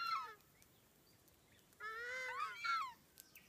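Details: Takahē, critically endangered native bird, one of three in the open predator-free sanctuary of Tawharanui Regional Park north of Auckland, New Zealand: two loud harmonic honking calls, a short falling note then a longer arched, slightly rising and falling one.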